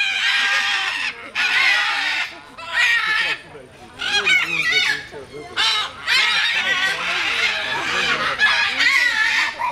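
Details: Two scarlet macaws at Novosibirsk Zoo give loud, harsh, raspy screams in bursts of about a second, repeated over and over with short gaps.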